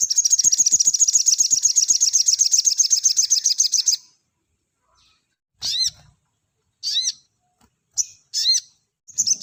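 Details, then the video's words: Sogon delivering tight 'nembak rapat' bursts, recorded clean as a master for cage-bird training. A four-second run of fast, high, grating pulses gives way to a string of short, bright, rising whistled notes. "MASTERAN BURUNG SOGON NEMBAK RAPAT‼️SUARA JERNIH"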